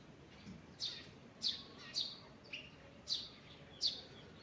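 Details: Birds singing in a forest in the morning; sharp, high chirps at a steady pace, roughly every half second, each a quick downward sweep, over a quiet, soft background hiss.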